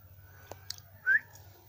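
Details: Single short, rising whistled note from a young pet Javan myna in its cage, preceded by faint clicks over a steady low hum.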